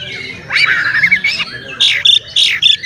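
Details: Male Oriental magpie-robin in full song, played to provoke other magpie-robins into tail-spreading agitation: loud, varied run of harsh squawky notes, slurred whistles and sharp chips, mostly high, changing every fraction of a second over steady low background hum.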